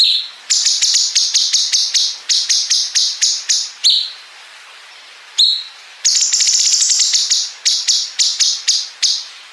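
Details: Cungkok bulbul singing long 'bren' fills joined to 'ngepik', meant to train competition songbirds: rapid series of high, clipped buzzy notes, a pause near the middle, then a long rattling run and more quick bursts.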